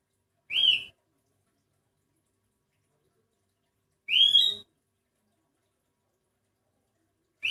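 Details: Sooty-headed bulbul with an unusual voice, unlike typical birds of its kind: two bright upslurred whistles about three and a half seconds apart, a third starting at the end, in silence.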